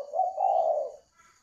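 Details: Single low, soft coo from a caged spotted dove in Vietnam, a drawn-out mellow note lasting about a second before fading, followed by a faint higher chirp.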